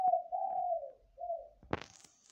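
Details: Zebra dove calling all night long: a low, trilling coo slides gently downward, followed by a shorter coo, then a sudden loud thump and rustle.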